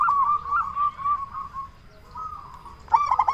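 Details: Loud local zebra dove meant to lure and stir other zebra doves: a wavering, drawn-out purring coo fades, followed by a sudden burst of sharp ringing notes.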